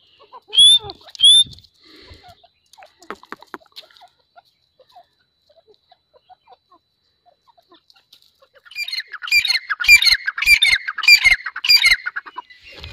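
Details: Grey francolin calling: after soft scattered notes and two short rising whistles at the start, a loud harsh rhythmic chorus of repeated grating phrases bursts in over the last four seconds.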